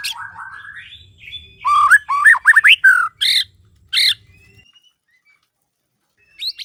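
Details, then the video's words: Mating-season White-rumped shama in a captive breeding setup, in breeding condition: a rising warble, then a rapid run of loud whistled and harsh notes, two separate burry calls, silence, and a final brief high phrase. "KICAU MURAI BATU BIRAHI"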